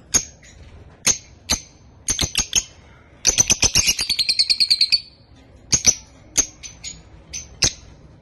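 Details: A blue masked lovebird (Agapornis personatus) gives shrill, sharp chirps, some single and spaced, then a fast run of about fifteen rapid notes before scattered chirps resume.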